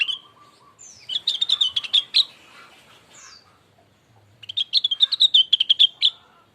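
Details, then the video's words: Cucak rengganis, also called cucak wilis, song used as a lure to provoke another bird into singing: two bursts of rapid, chattering notes, each burst lasting about a second, with a quiet pause between them. "Pancingan cepat nyaut burung RENGGANIS"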